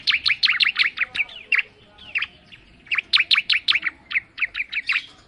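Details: Fast, chattering bar-winged prinia song, locally ciblek: about three chirps per second in tight bursts of high, bouncing notes, a pause near the middle, then another rapid run.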